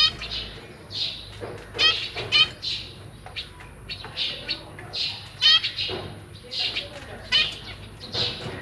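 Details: Caged zebra finches on 1 May 2023: a pair with three juveniles and three newly hatched young, the parents busy feeding them. Short, bright, nasal chirps come in rapid irregular bursts, several birds overlapping, with faint rustling in between.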